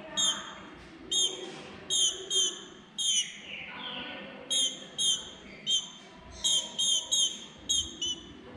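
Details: Female green-winged saltator, soliciting mating, utters quick bursts of sharp, high chipping notes, often in pairs or trios, with a brief softer descending slur near the middle and low room noise beneath.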